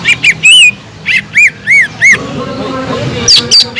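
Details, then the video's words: Cucak ijo (green leafbird) calling to provoke other birds: loud, slightly harsh arched whistles spaced about a third of a second apart, ending in softer high squeaks. "PANCINGAN CUCAK IJO GACOR INI SANGAT EFEKTIF BUAT CUCAK IJO KURANG EMOSI"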